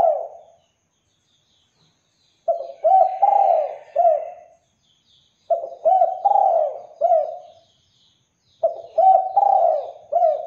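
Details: Spotted dove singing to draw responses from other doves: three regular phrases of four low coos, the third note long and swelling, about three and a half seconds apart, over faint distant chirps.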